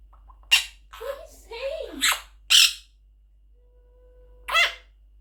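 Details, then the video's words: A baby monk parakeet (Quaker parrot) chatters in short, raspy bursts of mimicked words, several harsh syllables spaced about a second apart with brief pauses between. "Baby Quaker Parrot says 30 words in 1 minute"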